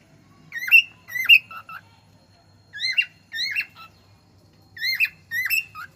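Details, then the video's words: Talking cockatiel giving loud, clear whistled notes that swoop up and down, some squawky, in pairs about half a second apart with gaps between bursts; faint low rumble underneath. "cockatiel talking"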